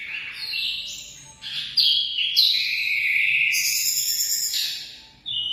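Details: Emprit, or munia, singing a sequence of sharp high chirps and sliding whistles. It fades briefly near the end before a fresh burst of song.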